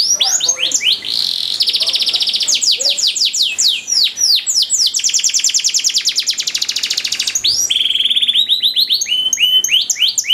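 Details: Canary training song with long-running, lavish ornamented phrasing: dense rapid trills and rolling runs at high pitch, buzzy sweeps and clicking rattles flowing almost without pause for ten seconds.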